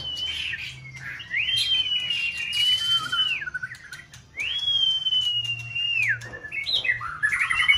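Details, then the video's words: Caged white-rumped shama in full breeding-season plumage, in a multi-bird singing test: long clear whistles held steady then sliding down, with twittering, a low steady hum underneath throughout. "Kích chòe lửa bông hót đa diện"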